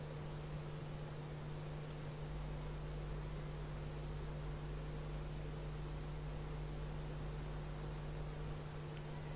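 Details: Steady hiss and constant electrical hum throughout, with no other sounds.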